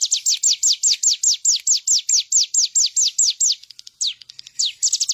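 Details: Bar-winged prinia delivering an even, unhurried string of about fifteen high notes that drop sharply in pitch. A few softer, scattered notes follow, then a quick closing flurry. The clip is meant as master training audio.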